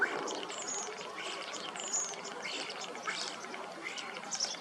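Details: A male common starling sings from a low perch near a female on a sunny 12 March 2026 in Hrodna city, western Belarus: high slurred whistles, dry clicks and scratchy rattling phrases in a busy, chattering stream.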